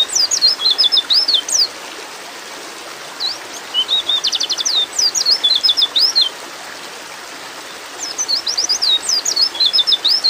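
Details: A female white-eye in breeding condition calls to attract a male. Three bursts of high, fast, slurred chirps, the middle one holding a quick rattling trill, are broken by pauses of faint hiss.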